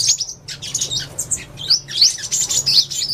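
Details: Scratchy, high-pitched twittering from a purple-throated sunbird, uneven chirps and squeaky slurred notes tumbling irregularly over about three seconds.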